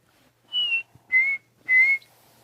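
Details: On a misty, peaceful early morning safari on May 14, a Chinspot Batis, the "breakfast bird", gives three clear, pure whistles in about two seconds. The first is higher and the next two lower and level, over a quiet background.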